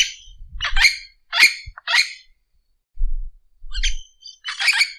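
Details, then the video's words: Orange-winged amazon giving harsh, broad squawks and screechy notes in irregular bursts, about six in five seconds, with low thumps between some calls. "Canto do papagaio-do-mangue"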